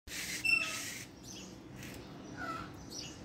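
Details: Captive, fully bonded adult pair of Alexandrine parakeets in Karachi, the semi-tame male whistling when in the mood; harsh, noisy bursts between half a second and one second, then softer scattered chirps in a small indoor room.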